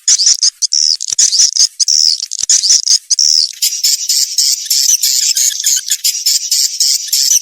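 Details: Recording from 2021 used to pull young swiftlets into a new nest house: a steady, dense high twittering with wavering whistled notes and fast buzzy flutter, running without pause.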